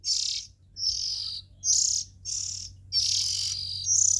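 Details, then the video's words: Harsh, breathy hissing from Oriental magpie-robin nestlings: six bursts in quick succession, some longer than half a second, high and noisy, over a soft steady hum. "Tiếng Chim Chích Chòe Than Non Kêu Hay Nhất"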